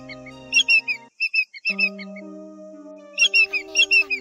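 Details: Common greenshank, August 2022, giving ringing, slightly falling 'tew-tew-tew' notes in quick groups of two to four, over steady low electronic tones, as a lure call track.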